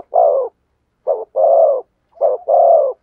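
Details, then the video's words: Spotted dove, called cu gáy in Vietnamese, singing in the thổ sấm voice style: low hollow coos in a short-long pattern, a brief note followed by a longer drawn-out coo, repeated three times with clean silence between. "cu gáy thúc gù giọng THỔ SẤM chuẩn nhất/ the cuckoo sings beautifully"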